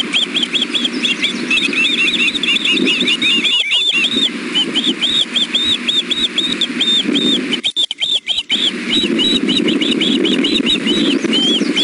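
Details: Three nesting ospreys calling for food at 6 pm, a young bird biting at its mother: long runs of sharp, upslurred whistles repeated rapidly, pausing twice, over a persistent low rumble.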